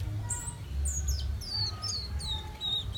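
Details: A young fire red in Guyana, South America, gives thin high whistled notes that slide down in pitch, several overlapping in a quick twittering series, with a low steady hum behind.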